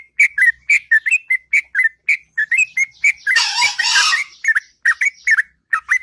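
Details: A sooty-headed bulbul sings its long ngropel song in the morning, with rapid fluty whistles in a steady chain, briefly overlaid midway by a harsh, noisy rushing burst before the whistles resume.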